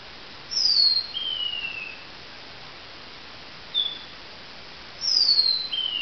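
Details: Lavender waxbill singing at dawn: thin, very high whistles that slide downward, in two phrases with a brief note between, over a soft underlying hiss.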